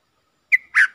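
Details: Red-whiskered bulbul decoy luring wild birds, recorded 23/07/64: a sharp whistled chirp, a short pause, then a fuller warbled note and a bright high chirp, all clear and loud.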